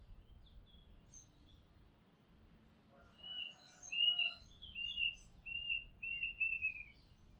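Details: Recorded from a house rooftop, an Oriental magpie-robin sings a string of clear, slightly descending whistles, beginning faintly then growing louder, with some lower, softer tones mixed in midway.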